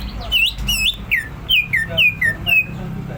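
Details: Fast ngentrok song of a greater green leafbird: roughly eight loud whistles, alternately rising and falling, at about two per second with brief gaps, against a low steady hum.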